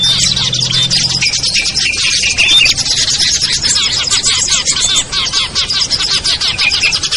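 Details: Small-bird luring sound with ciblek, kutilang, trucuk, sogon and perenjak listed, played to draw birds down; a low hum opens briefly, then a thick, rapid flood of high twittering and chatter from many birds.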